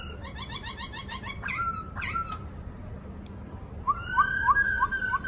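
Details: Caged black-throated laughingthrush in song training sings rapid buzzy trills and bursts of clear rising whistles, with a pause midway before a repeated run of sharp upslurred notes.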